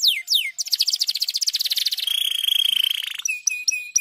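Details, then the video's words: Stimulating canary song: two falling whistles, then a fast pulsed trill, a sustained rattling trill on one high pitch, and a few sharp clipped notes at the end. "estimula rapidamente o som do chilrear canário atolado"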